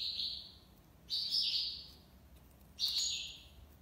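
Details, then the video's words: Goldfinch, called maqnin, in tiwawati libasad style song: three bursts of nasal, buzzy twittering, each starting high and sliding slightly down, with short gaps between phrases. "مقنين(حسون) تيواواطي ليباساد"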